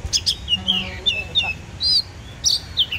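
Oriental magpie-robin singing a varied run of clear whistles, slurred sweeps and sharp high notes, several phrases in three seconds, with a faint low hum behind.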